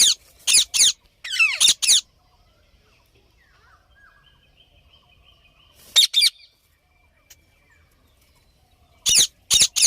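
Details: Parrot making clusters of sharp, harsh high squawks, a quick run of four at the start, then a lone pair and a final group after long quiet gaps.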